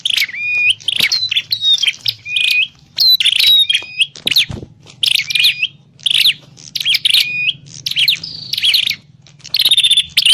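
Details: Lure call of a prinia for bird trapping: long run of energetic chirping bursts, scratchy notes broken by brief flat whistles, coming every second or less, with one short thud and a faint hum.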